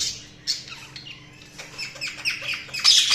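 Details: Budgies giving scattered soft chirps and warbled twitters, mostly quiet, ending in a bright harsh squawk; a faint low hum in the background.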